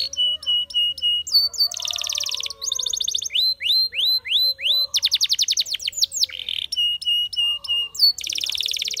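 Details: Spanish Timbrado canary in full song, switching between phrases: staccato metallic notes, dense buzzing rolls, a row of upward-curving whistles, quick rattles and more buzzy trills over nine seconds.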